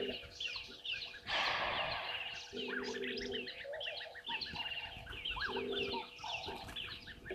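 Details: A group of red-billed buffalo weavers calls at a waterhole, Gowrie dam on Djuma Game Reserve in South Africa's Sabi Sand, late morning of 11/04/2023: busy overlapping squeaks and chatters, a burst of rushing noise, and lower droning notes.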